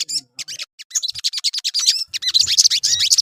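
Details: Short burst of crimson sunbird song meant to draw other birds into singing: rapid, shrill, hooked notes in quick clusters that grow denser toward the end.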